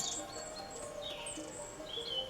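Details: Many long-tailed tits in a tree overhead give thin, high-pitched twittering and whistled notes, some brief and some drawn out, over steady tolling church bells.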